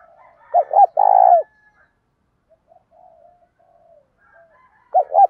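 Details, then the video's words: Spotted dove, male and female mixed, calling to train wild-caught doves: a low coo phrase of two short hooting notes and one long rolling note, a faint lower murmur between, then the phrase begins again at the end. "cu gáy tập bổi nhanh nổi hàng ngày"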